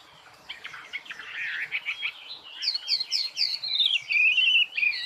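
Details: Bird song beginning as a quiet, scratchy chatter that rises into loud, high, slurred whistles and sharp descending notes toward the close.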